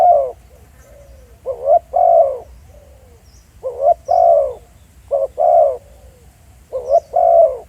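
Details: A live decoy spotted dove coos steadily in the field, giving five two-part phrases, each a short upward note and a fuller falling coo, with quiet trailing notes between them.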